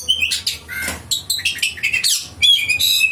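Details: Striated grassbird song played to get a kept bird singing: rapid, varied chirps and short whistled notes, some buzzy, packed tightly over three seconds with a faint low hum.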